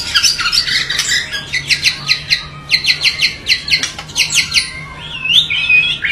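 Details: White-rumped shama singing rough, high chattering phrases in rapid repeated series, ending with looping whistled notes; a steady low hum lies underneath.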